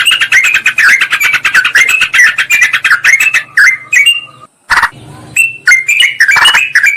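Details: Yellow-vented bulbul lure recording used to draw wild birds in forest or garden, a female calling a male and a bird calling a rival: dense, rapid chattering notes overlapping, then a short pause and several louder bubbly phrases.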